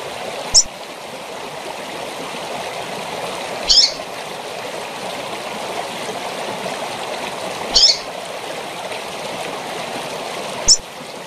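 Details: A female double-collared seedeater gives four brief, high, thin chips spaced three to four seconds apart over a steady rushing waterfall.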